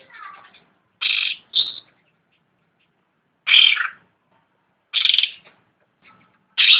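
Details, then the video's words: Loud grating bursts from a cucak ranting, some in close pairs, after a softer warbled opening note. They come irregularly with quiet gaps between them. "Suara asli cucak rante / ranting gacor"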